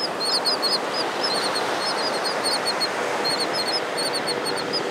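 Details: On a Malibu beach, a presumed male royal tern courts a female with quick runs of brief, high, chevron-shaped notes, repeated several times a second, while surf rumbles continuously beneath.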